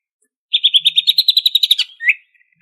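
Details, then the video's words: Greater green leafbird from Banyuwangi in ngentrok song: a rapid, even trill of about fifteen buzzy pulses, closing with a single lower upslurred whistle. "Kicau Cucak Ijo Gacor Asli Banyuwangi Ini Asli, Ngentrok Full Isian!"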